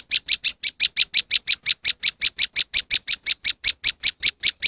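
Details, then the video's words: Rapid repeated chirping from a moss wren, played as a bird lure: sharp, bright, evenly spaced notes at roughly six per second, running unbroken throughout. "moss wren bird lure sound"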